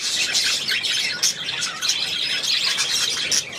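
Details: Pet budgerigar, 8 December 2016, keeping up dense, continuous warbling chatter of rapid squeaky chirps and buzzy notes for several seconds, with brief louder accents scattered throughout.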